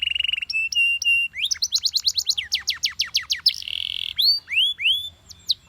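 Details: Yellow Belgian canary singing powerfully: a buzzy steady trill, then clear whistled notes, a fast run of down-slurred notes, a harsh rasping roll and rising upslurred whistles, all loud and high.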